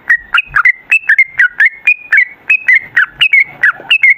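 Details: Gacor sooty-headed bulbul pouring out an unbroken 'ropel' song, used to provoke other bulbuls into singing. Continuous stream of bright, bubbly whistled notes, mostly rising-and-falling two-part phrases at a brisk, even pace.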